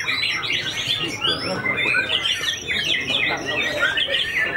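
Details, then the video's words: White-rumped shama just finished moulting, white-tailed and fighting hard; high, thin rapid whistles and ticks crowd the upper range in nonstop volleys, with a faint murmur of voices below. "MB UNIK SUPER FIGHTER PASCA MABUNG NGAMUK"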